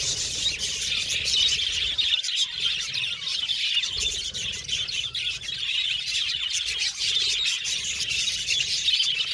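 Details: Budgerigars chirping in a steady, unbroken chorus of high tweets, squeaks and chattering warbles, with faint low rumbles underneath.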